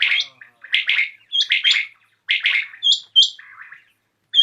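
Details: Common quail calling at dusk, sharp rapid double and triple notes mixed with thin higher whistled notes and a few softer trailing sounds.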